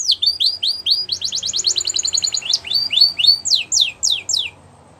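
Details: Canary in the wild: quick swooping notes lead into a fast even trill, then louder separated downslurred whistles that slow toward the end, over a soft background hiss.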